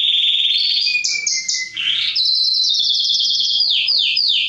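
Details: Mosaic canary song meant to stimulate mating and to teach chicks: bright varied phrases. A steady high trill gives way to short rising slurred notes and a brief buzzy burst, then a fast rolling trill and a run of downward-swept whistles.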